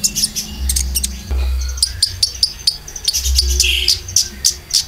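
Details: Konin lure song with filler, for caged birds: sharp high chirps and ticks in quick uneven bursts, a brief whistled note, over a low rhythmic thumping pulse.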